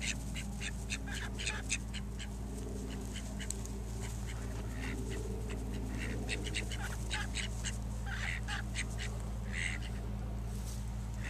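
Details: Domestic call ducks quack quickly and harshly, about four a second in uneven bursts, over a low mechanical hum; a mallard-looking drake outside the pen keeps the other drake away from his female.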